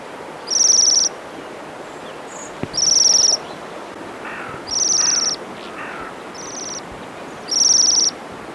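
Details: Bohemian waxwings in the UK in winter give their contact call, high, thin, buzzy rolling trills of about half a second, repeated every couple of seconds over faint hiss, used to communicate between birds perched or in flight.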